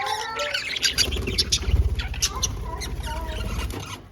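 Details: Pet budgies playing in their cage, chirping: busy overlapping chatter of short sharp chirps and warbled squeaky notes, with a continuous low rumbling noise underneath.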